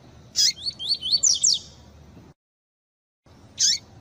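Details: Pure tui tui style song of a double-collared seedeater, edited with female calls that stir males to answer: a fast series of high, bright slurred notes after a sharp chirp, a brief silent gap, then another chirp.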